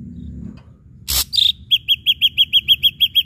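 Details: Ashy drongo song used as a lure to provoke other birds to sing: a sharp burst, then a rapid series of about a dozen bright, clipped chirps, evenly repeated several times per second over quiet low background hum.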